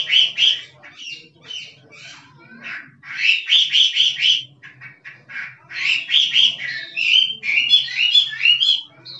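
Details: Kích trống song of a wild Chinese hwamei: loud, choppy clusters of quick whistled notes, some rising and slurred, delivered almost without pause over a soft background hum.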